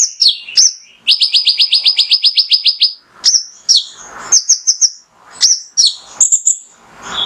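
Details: Mangrove whistler (konin) male singing full burst material to provoke rival birds into song: a rapid rattling series of about fifteen identical high notes, followed by varied slurred whistles and chirps.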